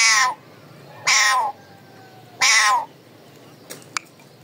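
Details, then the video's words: Pet talking parrot giving raw calling sounds: three loud, harsh, nasal squawks with rich harmonics, each about a third of a second long and spaced roughly a second apart, followed by faint clicks. "My Raw Parrot calling voice"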